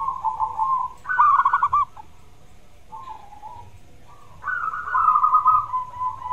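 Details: Zebra dove in full song, used as therapy to coax a dove that rarely sings: bursts of rapid, pulsed cooing trills with a gap of near-silence between phrases, the second phrase longer and slightly falling.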